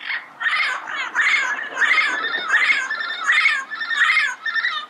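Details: Yellow-headed parrot in the wild calling in a rapid run of about seven harsh, raspy squawks, each rising then falling slightly, delivered almost back to back over five seconds.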